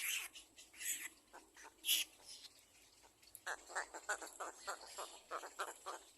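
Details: Little egret nestling at a second nest begging parents for food: harsh, raspy squawks and chattering bursts, loud at first, then a faster stream of shorter rasping calls.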